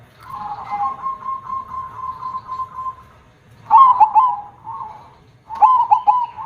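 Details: Zebra dove, a prized perkutut with a large voice, first holds a long steady trilling coo, then gives two sharper phrases of quick clipped notes ending in short coos.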